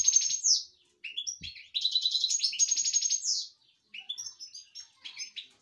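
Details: Excited European goldfinch singing inside a cage: a fast, tinkling jumble of high twitters, buzzy trills and liquid notes in bursts separated by brief pauses.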